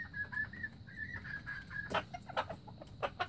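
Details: Young red junglefowl, 2019: a broken series of short, thin whistled notes at even pitch, followed by a run of sharp clicking or tapping sounds.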